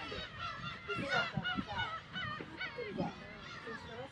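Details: Kabushima breeding colony of Black-tailed gulls, Hachinohe, Aomori, Japan, early summer, 10 June, chicks present; many harsh, nasal mewing calls overlap in a busy chorus, with a low background rumble.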